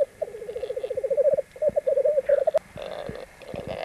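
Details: Black grouse x capercaillie hybrids (rackelhahn), three birds fighting on a black grouse lek at Landvik, Grimstad, Norway, 1 May 1994: a fast run of low bubbling pulses, a short pause, then a wavering gurgling series with a sharp click.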